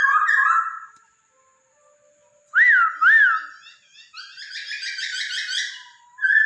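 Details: Laughingthrush song meant to prompt a pet bird into singing: rich warbling, a pause, two loud looping whistles, then a softer twittering run.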